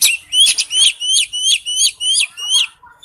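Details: Oriental magpie-robin in wild forest voice, repeating a rising whistled phrase roughly every third of a second, about eight times, before a softer closing note.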